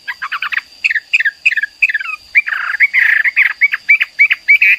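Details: Hwamei (hoa mi) singing persistently in a tutor recording: quick clusters of clipped chattering notes, then louder, harsher bursts alternating with short whistles, repeated about three times a second, over a steady high electrical whine.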